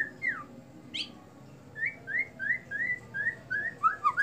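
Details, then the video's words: White-rumped shama in a bowing display, giving a steady run of clear whistled slurred notes repeated about three per second, ending in quicker descending phrases over faint low hum. "murai sujud"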